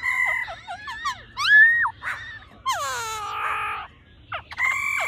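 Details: A female laughingthrush gives loud, slurred whistles that swoop down and up, mixed with harsh squealing bursts and quick rising notes over about five seconds.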